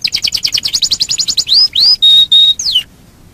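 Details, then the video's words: Domestic canary lure song for prompting other canaries to sing: quick repeated downslurred chirps, then two rising whistles, two flat sustained high notes and a falling slur, followed by silence. "Pancingan burung kenari super ampuh"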